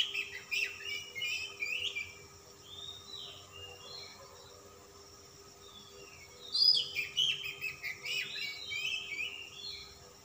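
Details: Oriental magpie-robin, a calm-type bird, singing persistently in full voice with a rich learned repertoire. Two bursts of high, varied whistled and chattering phrases are separated by about four seconds of near silence, with a faint steady hum throughout.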